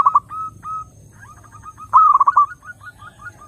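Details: Zebra dove singing, played to draw in other doves: a brief cooing burst, several soft separate coos, then a loud rapid string of mellow notes trailing into a long run of gentle, evenly spaced coos.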